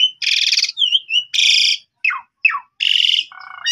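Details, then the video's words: Asian pied starling singing as a lure to prompt young birds to answer: loud harsh buzzy bursts alternate with quick whistled slurs and falling notes, ending in a lower rattling phrase. "Jalak Suren Bahan Langsung Respon Nyaut Gacor"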